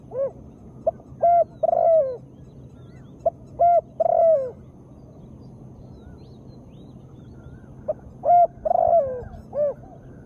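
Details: Calling female spotted dove, used to coax lazy birds into singing: three phrases of low rounded coos, short notes rising into a long sliding final coo, with pauses of several seconds between phrases and a faint low hum behind.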